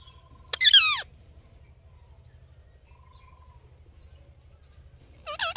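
A ringneck parakeet gives two short, harsh, voice-like bursts about five seconds apart, bending in pitch like mimicked words, over a low steady hum.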